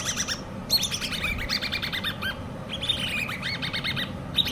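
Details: Hand-reared common babbler chicks giving bursts of rapid, evenly spaced harmonic chirps. Two longer chattering runs are separated by short silences, with a low constant background sound.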